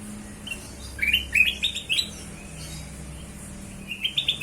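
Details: Kutilang emas bulbul song used as a lure for other birds: a rapid series of rising whistled notes climbing in pitch, a short gap, then another quick upward phrase, with low hum underneath.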